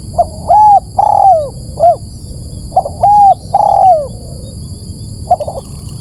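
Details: Spotted dove lure recording used to attract birds: loud, distorted phrases of short coos, each ending in a long arched, slurred coo, two phrases about three seconds apart, then a fresh phrase starting, over low background hum.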